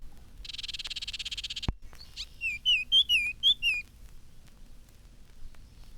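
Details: Baltimore Orioles sing under elms in spring, while their mates build hanging nests over the roadway. A dry, buzzy chatter, of the kind females often give in response, is followed by five or six clear slurred whistles.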